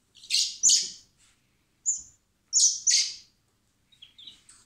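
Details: Spring blackbird chicks in a recovery centre, hand-fed before being freed, give loud harsh rasping begging calls mixed with short high whistles, in quick uneven bursts, faint handling noises beneath.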